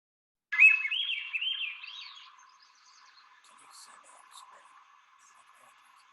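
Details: Swainson's Thrush singing behind the Inverness Park market near Point Reyes, California, on April 22, first of spring after recent arrival, a common local nesting bird: one flutey phrase of rolling notes spiralling steadily upward, under two seconds, then faint steady hum.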